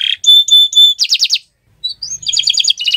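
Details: Canary singing on a Friday morning, opening with three clear level whistles, a quick burst of trilled notes, a short silence, then a rising whistle and fast rattling trills.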